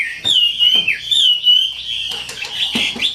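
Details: Energetic wambi song made of a long, wavering whistled phrase that rises and falls almost without a break, then turns harsher and more chattering near the end, with faint clicks behind it.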